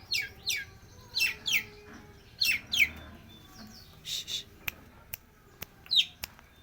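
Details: A young long-tailed shrike, still in juvenile plumage, singing actively and showing off its repertoire. It gives sharp, downward-sweeping chirps, often in pairs, in bursts about a second apart, with scattered clicks toward the end.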